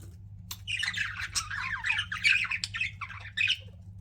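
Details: Pet budgerigars chirping indoors: a dense, continuous chatter of scratchy warbles and squawky chirps, overlapping notes without pause, over a low steady hum.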